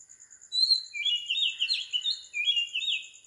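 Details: Oriental magpie-robin in Sri Lanka, recorded at 4 am, gives a rich whistled phrase of rapid slurred notes after a brief quiet start, with a steady high-pitched background hum.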